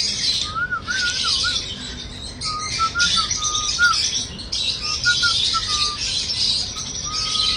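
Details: Cockatiel singing: clear whistled notes, some flat and held, others slurred up and down, in short phrases over constant high chattering of many other birds.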